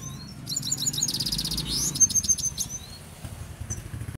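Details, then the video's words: Himalayan goldfinch in Quetta singing a quick, high jangling twitter with buzzy rattles, a sweeping slur and a string of sharp clear whistled notes, fading to a few chips, low rumbling hum beneath. "himaleyan goldfinch singing"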